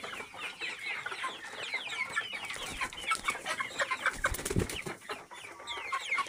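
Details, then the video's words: Free-range local chickens, called enkoko enganda, in a flock giving a dense chatter of short overlapping chirps and peeps, many birds calling at once, with a brief low thump midway and steady background hiss. "Enkoko Enganda Local chicken"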